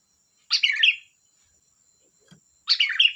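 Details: Two rich, gurgling, warbled bursts from a sooty-headed bulbul, or kutilang, separated by about two seconds of near silence with one faint low tap.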